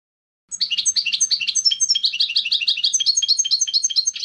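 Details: European goldfinch, clean contest-style song used to educate young goldfinches: after a brief pause, a continuous stream of fast, scratchy twittering notes repeated in rhythmic bursts for nearly four seconds.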